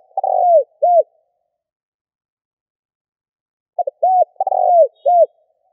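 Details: Spotted dove call meant to rouse a decoy bird: a grating, descending coo and a short arched coo end one phrase. After about 2.5 seconds of silence, a full phrase follows with clipped lead-in notes, hollow coos and a rough drawn-out coo.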